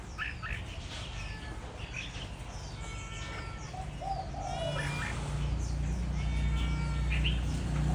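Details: Seasoned decoy red-whiskered bulbul, six seasons hardened, with a dark bib, bird originating from Cao Bằng, Vietnam: bright short whistled phrases rising and falling, repeated in quick bursts, with lower mellow cooing notes and a steady low background hum.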